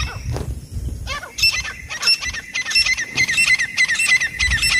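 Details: Calling francolin, a sound used in hunting to draw birds near: a scratchy opening, then a steady series of harsh, strident repeated notes with a faint continuous high whine behind them.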